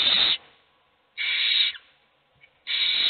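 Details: Begging owlets, hungry while only one of them eats; three long, rasping hissed screeches, the middle one stretching over half a second, separated by near silence.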